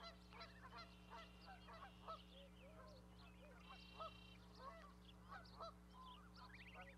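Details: Goslings on a raised osprey nest platform with their parent, Charlo, Montana, May 12, 2020; repeated short honks with curled tops sound over a busy chorus of other birds and a low electrical hum.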